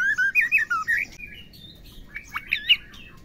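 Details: White-rumped shama, a female whose calls are meant to prompt males to sing, gives quick looping whistled notes that rise and fall, then quieter scattered sharp chips and short whistles.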